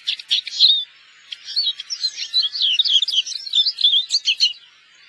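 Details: A finch, labelled a black-headed Eurasian siskin, a winter visitor wintering in Korea, gives a quick run of bright, twittering and buzzy high notes with short trills tumbling over one another for several seconds.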